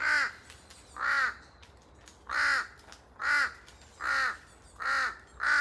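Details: Forest recording of a pair of large-billed crows calling noisily, echoes audible. Seven harsh arched caws spaced about three quarters of a second apart, fairly even, with faint clicking between calls.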